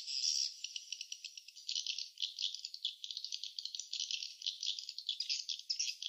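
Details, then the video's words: A busy swiftlet nest gives off a high, buzzy chatter. Quick clicks come in ragged bursts after a louder opening chirp, with a faint hiss behind. "suara sarang burung walet ( swiftlet sound )"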